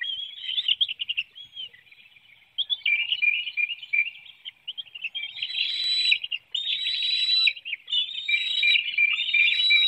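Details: Bald eagles on a webcam-watched nest in Hanover, Pennsylvania, 9 June 2019, while one adult feeds young a small fish and another youngster hops and flaps; irregular bursts of high squeaky chatter growing louder and fuller toward the end.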